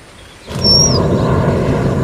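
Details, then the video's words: Strawberry finch or red avadavat in captivity giving one drawn-out, thin, very high whistle that falls away at the end, as a loud rushing, rumbling noise starts up beneath it. "Strawberry Finches| Red Avadavat"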